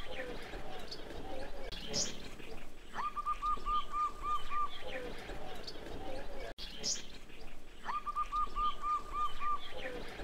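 A zebra dove gives a soft, rolling run of about eight quick staccato coos, repeated twice. A brief high chirp from another bird comes before each run, over low background rumble.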